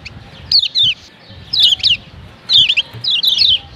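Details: Lombok yellow white-eye female calling to provoke males: bursts of two or three thin, high notes sliding down in pitch, spaced roughly a second apart, with faint low rumble underneath.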